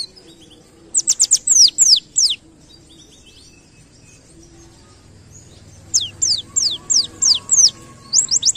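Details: White-eye caught from the wild, singing canary-like strophes: a quick cluster of sharp down-slurred whistles, a silent gap of about three seconds, then a long string of high falling notes ending in rapid chips.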